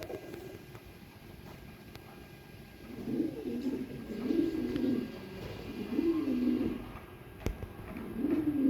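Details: Pigeons from a large collection of different pigeon species kept at Tehran Bird Garden, Iran, coo in low, rolling phrases that start after three seconds and return in several bursts, over a steady background hum.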